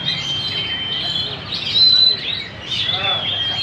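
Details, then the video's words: Magpie-robin singing energetically at Banjar Indah: a held high whistle, then a louder sweeping phrase and a final flurry of chirps, with a brief lull in between. "Burung murai Gacor di Banjar indah"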